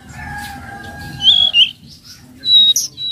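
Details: High, thin tledekan laut notes, a trotol-style lure call for training raw flowerpeckers: a pair of sharp slurred chirps, a pause, then bright piercing tseet notes; faint background hum throughout.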